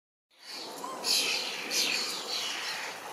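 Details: Young common starling fledglings in a large berry bush beg loudly to be fed by a parent, giving two harsh, rasping squawks about a second apart over a steady hissing background.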